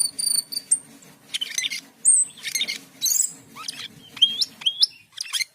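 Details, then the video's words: Asian pied starling, kept bird singing in full voice: a rapid, varied run of high whistles, harsh chattering bursts and sharp rising upslurred notes, with some squeaky phrases, over a faint low hum. "Cucak keling gacor teler"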